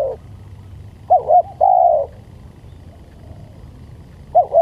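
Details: Spotted dove (tekukur) used as a lure: two short wavering coos followed by a long, level, drawn-out coo, with the pattern starting again at the end over a low steady hum.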